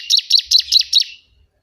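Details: Bar-winged prinia (ciblek kebun), a loud, noisy song for training or luring birds: five rapid, evenly spaced buzzy chirps in about one second, then silence.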